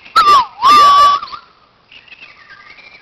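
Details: Two loud, full whistled phrases from a white-crowned shama at a playground, each dipping then levelling into a sustained note, followed by softer high twittering.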